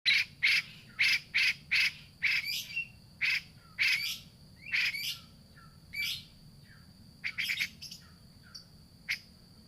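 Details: Grey-cheeked bulbul lure recording, used to prompt a bird that has stopped singing. Rapid harsh, buzzy chattering notes come in bursts of about one per second, then grow sparser. A steady thin high tone runs throughout.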